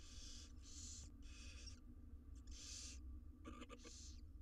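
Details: Wild barn owl nestlings being fed in an Israeli nest box give insistent rasping hisses back to back, followed by scratchy clicking and one more hiss.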